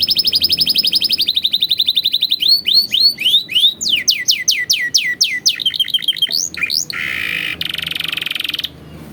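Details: Canary tutor song (masteran) for training young canaries, in a rich 'cengkok mewah' style. It opens with fast high buzzy trills, moves into a run of sweeping upward-curving whistled notes, then ends with a dense rolling buzz and a quick chattering trill.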